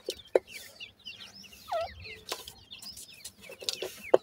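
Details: Feeding francolin (teetar) chicks give sparse high, wavering peeps and one longer falling squeal. Loud sharp clicks or pecks sound at intervals.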